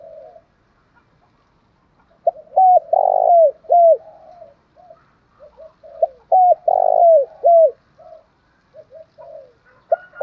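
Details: Cooing spotted dove, a voice for luring rival males: a quiet opening coo, then two full phrases of hooked notes, a long rough coo and falling notes, each trailed by soft low murmurs.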